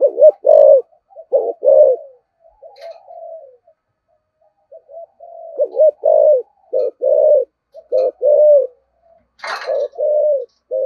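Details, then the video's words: Spotted dove giving loud, repeated 'thúc gù' coos in the low 'giọng thổ' voice style, short throaty notes in quick clusters broken by softer drawn-out coos, with a brief click near the end; otherwise quiet background. "Tiếng chim cu gáy giọng thổ thúc gù"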